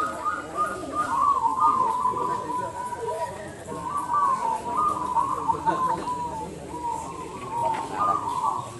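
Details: Local zebra doves (perkutut) at a singing competition, several birds giving overlapping rolling, trilled coos in an almost continuous chorus, phrases rising and falling, with people talking in the background.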